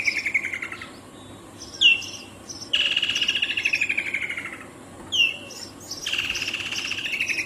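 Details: Repeated calls of a Woodland kingfisher: brief piercing notes dropping in pitch, each leading into a loud, fast, pulsed trill that falls gradually. Three trills in close succession, with a quiet natural background.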